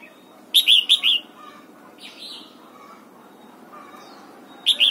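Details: Red-whiskered bulbul morning song during voice training, aiming for the double-note 'âm kép già rừng' style: a burst of four loud, bubbly whistled notes, a quiet gap with soft distant chirps, then another phrase starting at the end.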